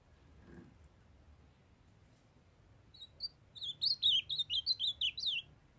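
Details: A young male ultramarine grosbeak sings beside a female that calls to warm him up: after a soft thump and a pause, a fast run of about twelve clear, dipping whistles fills two seconds.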